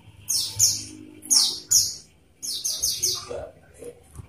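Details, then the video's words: Olive-backed sunbird song used as a lure to get captive birds singing: short bursts of very high, thin, twittering chirps in clusters separated by brief pauses, with faint low background murmur. "pancingan konin biar cepat gacor"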